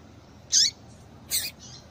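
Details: Calling female yellow-bellied seedeater, a sound played to get males singing: two high, squeaky, slightly buzzy notes under a second apart, the first ending in a falling sweep, followed by a softer trailing note.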